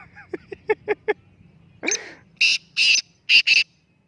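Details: Three black francolins set against each other in a calling contest at Jauharabad. A row of short clicking notes comes first, then a harsh rising call and several loud, grating bursts in quick pairs.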